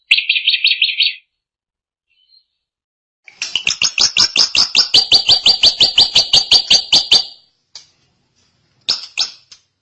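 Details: Drongo (Srigunting) in long continuous song: a burst of warbled notes, then a fast series of about twenty sharp, evenly repeated metallic notes, with short chirps after a pause; clean, quiet background.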